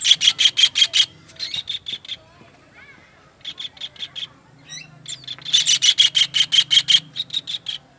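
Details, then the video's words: Kingfisher voice for tutoring songbirds: rapid strings of grating, buzzy notes, a pause with faint warbled notes from other birds, then a long, loud chattering series. "MASTERAN TENGKEK UDANG"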